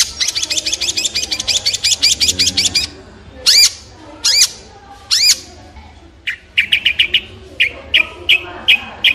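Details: Long-tailed shrike giving a fast, scratchy chatter of repeated notes, then three loud, separate upslurred calls, then a string of short, clipped notes.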